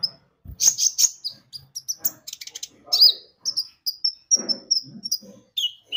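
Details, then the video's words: Javan white-eye in lively song used as a lure: high chirps and trills, a series of clear short whistles repeated evenly, plus a few soft low thumps. "Pancingan Kicau burung konin gacor"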